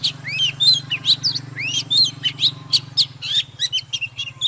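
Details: Heated morning song from an old wild-caught Oriental magpie-robin that sings while dancing. Fast tumbling sequence of rising and falling whistles and buzzy chips, almost continuous, with a steady low hum behind throughout.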